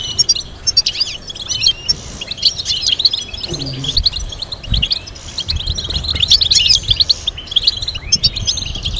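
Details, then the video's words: European goldfinch melody for training young singers: bright, rapid chirping and twittered phrases running throughout, with a short low murmur and a thump in the middle. "Teaching goldfinch to sing complex stimulating melodies"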